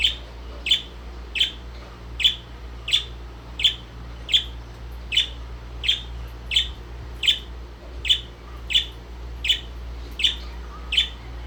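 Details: Pet Indian ringneck parrot giving short sharp high chirps, repeated steadily about every 0.7 seconds, over a constant low indoor hum.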